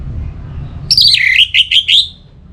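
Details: Aroused orange-headed thrush from North Bali calling a rival: a high opening note dips into a run of five choppy, wavering notes that rise and fall, rich in overtones, with a soft background hum.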